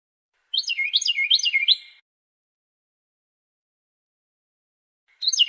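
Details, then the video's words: Carolina wren song: a fast run of four ringing rolled phrases, each dropping from high to lower pitch, repeated about four times a second, then silence and the start of another run; clean background. "CAROLINA WREN SUARA JERNIH"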